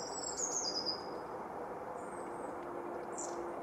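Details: A Eurasian blue tit sings in Anglet, France, in winter 2018–19: a few thin, very high, crystalline notes sliding downward, then a brief high note later, over a steady rushing background hiss.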